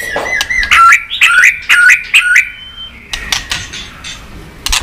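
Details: Song of a white-rumped shama, played to rouse and train birds: a steady whistled tone breaking into a run of repeated warbled notes, then a sustained high whistle and scattered sharp clicks.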